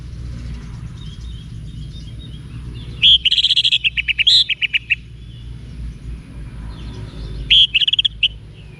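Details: Orange-headed thrush, a caged bird kept for song training, recorded in Singaraja, North Bali; two bursts of rapid high chirping and trilled notes, the first about two seconds long, the second shorter, over low background hum.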